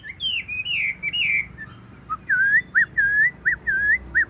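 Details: Tame, caged Chinese hwamei with a large body and green eyes, singing loud whistled phrases: rich warbling slides at first, then a pause and a run of repeated looping whistles.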